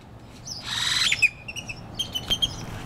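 A great-tailed grackle gives a harsh, rasping burst, then a quick run of high, thin chirps and sharp clicks over faint background hiss.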